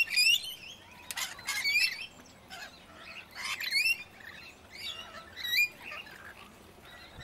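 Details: Red-rumped parrot in south-eastern Australia giving bright, high, rising whistled chirps in quick bursts, some harsher squawky notes mixed in, with other birds faintly in the background.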